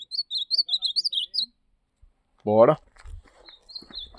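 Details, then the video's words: Ultramarine grosbeak in campeada song on the morning of 14 December 2025, giving a rapid series of high slurred whistles, then a short low harmonic cry and scattered faint notes. "Campeada de Azulão"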